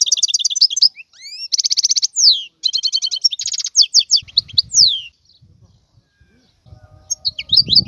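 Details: Wild European goldfinch song with buzzy trills, rising whistled slurs and rapid twittered notes in a busy stream, followed by a quieter gap with low rustling noise and a few soft notes.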